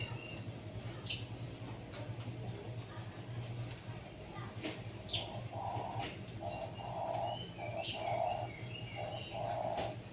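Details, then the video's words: Caged zebra dove put out to sunbathe in the morning, cooing a run of low, soft, rolling notes in quick clustered bursts, over a steady low hum with sharp clicks and faint high chirps from other birds nearby. "penjemuran burung perkutut biar rajin dan gacor"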